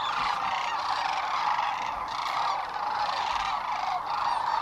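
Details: Spring 2015 evening roost of sandhill cranes on Nebraska's Platte River near Gibbon; dense chorus of rolling, bugling calls from many birds at once, unbroken and even in loudness throughout.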